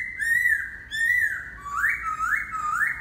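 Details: Laughingthrush singing: loud, rich whistled phrases, first two level arching notes, then three rising upslurred whistles repeated in quick succession, clear and close with no other sounds.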